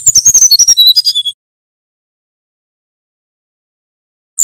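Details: Male brown-chested jungle flycatcher from Banten in flute-like nyuling style, a tutor recording for training birds: a fast rattling series of about twelve high notes gliding downward, then silence with one brief chip at the end.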